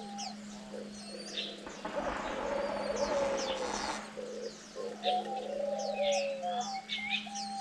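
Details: Captive diamond doves, parents feeding their nine-day-old chicks; soft descending coos near the end, a broad noisy burst in the middle, high chirps from other small birds, and a steady low electrical hum throughout.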